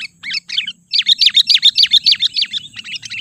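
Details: Sooty-headed bulbul lure call meant to provoke wild bulbuls: two short chirpy bursts, then a fast, steady series of loud, sharp, descending chirps, roughly three to four per second, with soft low rumble beneath.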